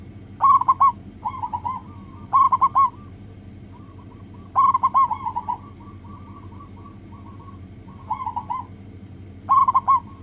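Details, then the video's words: Zebra dove, local type, singing as a lure to prompt other doves to sing: repeated phrases of fast staccato coos, some loud and clear, others softer, with quiet trilling notes between phrases and a steady low hum beneath. "PANCINGAN PERKUTUT LOKAL AGAR CEPAT BUNYI"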